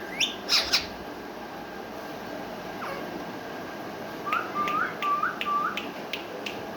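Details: A pet rose-ringed parakeet sitting on a basket talks in Urdu/Hindi: two or three harsh squawks, then a quick run of five short, rising, speech-like notes imitating human words against a faint indoor hiss.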